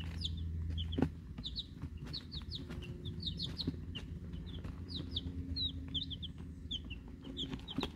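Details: Eleven week-old chicks, Rhode Island Red and Black Sumatra hens plus a mystery chick; dense high peeps and chirps from several birds, rapid and overlapping, with clicks, a knock and low hum.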